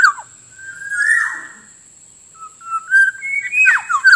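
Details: Kepodang (black-naped oriole) lure recording meant to draw birds in the wild: mellow fluty whistles, one held and swelling, then a rising run of short whistled notes ending in quick downward flicks. A thin steady high tone sounds behind.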